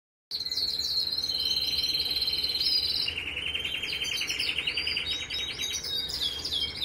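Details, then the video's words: Red mosaic canary singing: bright rolling trills and sweeping whistled notes, then a long steady rattling trill at lower pitch in the second half, with a faint background hiss. "beautiful red mosaic and red Agate mosaic canary singing"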